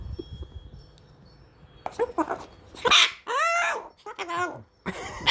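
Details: Hand-raised long-billed corella, a pet Australian parrot rescued after being hit by a car, swearing at the cat indoors: quiet room noise, then harsh, raspy speech-like outbursts in several loud bursts, with a voice nearby.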